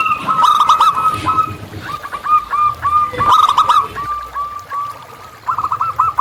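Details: Local zebra dove in lively wild song: fast bubbling runs of hooked cooing notes with pauses, two sharp clicks, and a renewed rapid phrase at the end.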